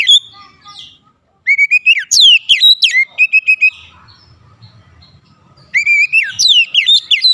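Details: White-rumped shama song used as a lure to stir other shamas to sing: loud, rapid sequences of slurred whistles and repeated sharp notes, broken by pauses with a faint low hum.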